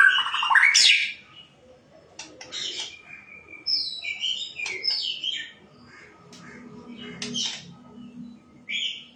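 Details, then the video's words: White-rumped shama opening with a loud harsh burst, then clicks and varied whistled phrases with brief gaps between them. "Shama birds..calling bird singing Bird"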